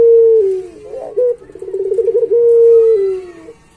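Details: Puter pelung Barbary dove in a gacor master recording for pet doves. A sinking hoot gives way to a bubbling pulsed roll, then a long level hoot around one second long fading downward.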